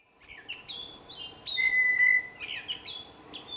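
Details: A Blue Jay, singing with a little dance, gives a varied run of clear whistled notes, some rising, some level, with one longer steady whistle in the middle, over faint background hiss.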